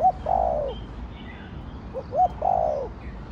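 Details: Spotted dove, or cu đất, of the thổ đồng voice. A long falling coo is followed by two quick short notes and another long, full, descending coo, over quiet background noise.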